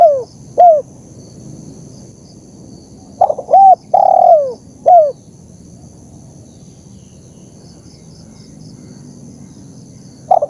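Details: Spotted dove master recording for training and luring: the tail of one phrase, then a full phrase of stuttered notes, a long descending coo and a short coo, followed by long silence and the start of another phrase.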